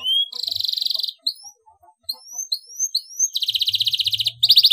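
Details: Canary song used as a lure recording to make caged birds sing more and answer aggressively: bright high trills of rapid repeated notes, then a run of short rising whistled notes, then more fast buzzy trills.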